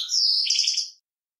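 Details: Brief phrase from a male European goldfinch singing to teach a young goldfinch, a single second-long high twittering, slurred warble with a buzzy edge, followed by silence.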